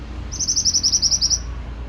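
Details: Pied bushchat singing vigorously in a bird-tutoring recording: a quick trill of about ten sharp, high, evenly spaced chipping notes lasting just over a second, over a faint low hum.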